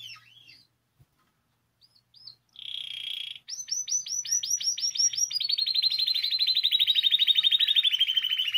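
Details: Singing canary recorded to prompt other canaries into song: scattered soft chirps, a buzzy sustained trill, a series of rapid looping whistles, then a long even rolling trill drifting slightly downward.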